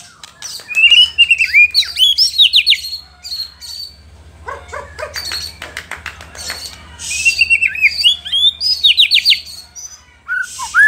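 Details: White-rumped shama song meant to stir rival shamas: rich, varied phrases of slurred whistles and buzzy notes in two long bursts, separated by clicking and rattling sounds.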